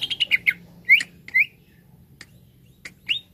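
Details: Green leafbird (cucak ijo), a kept bird, recorded as therapy to make other birds sing readily: a quick run of clear whistled slurs, then spaced rising and falling whistles with short gaps, over a low steady hum.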